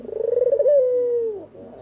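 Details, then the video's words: A single night-time phrase from an albino white turtle dove with red eyes: a rapid pulsing coo that smooths into a long held tone and then drops away, over a low steady hum. "SUARA MERDU BURUNG PUTER PUTIH MATA MERAH MANGGUNG DIMALAM HARI"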